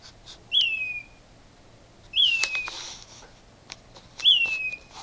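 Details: At night around 4am, a loud bird calling from a mesquite tree gives three descending whistles, roughly every two seconds, each sliding down to a brief steady end, with a burst of rustling noise between the first two.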